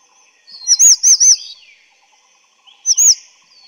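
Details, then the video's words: Grey-chinned Minivet (Pericrocotus solaris) gives a quick run of three thin, high, arched whistled notes, then a matching pair after a short pause. "灰喉山椒鳥/Grey-chinned Minivet"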